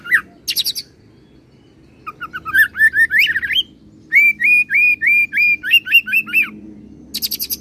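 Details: Oriental magpie-robin performing a roll song mixed with cililin and serindit imitations; high chip bursts, rising slurred whistles, then a rhythmic run of about ten hooked whistled notes, with another high burst at the end; low background hum.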